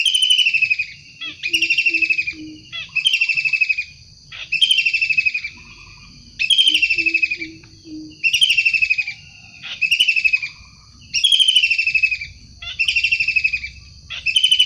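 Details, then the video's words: Wild long-tailed shrike calling persistently: harsh, rasping, slightly falling bursts about a second long, repeated roughly every one and a half seconds, with faint low tones between bursts. "Tengkek udang gacor asli alam liar"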